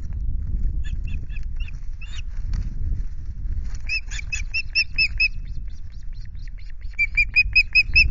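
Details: Ospreys at the Loch Garten nest with chicks on 5 July: wing flaps and wind noise, then bright whistled chirps in rapid, evenly spaced series, rising slightly in each note.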